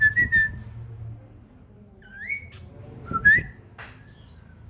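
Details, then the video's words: Common iora kept as a household cage bird, singing: a few widely spaced whistled notes, some rising and some falling, with faint knocks and room noise between them. "burung cipow / sirtu gacor"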